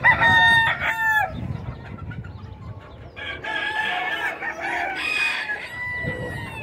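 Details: Cuckoo bantam chicken giving short harmonic calls at first, then a drawn-out, strained, crowing phrase in the middle and a fading note at the end. Steady low background rumble is heard throughout.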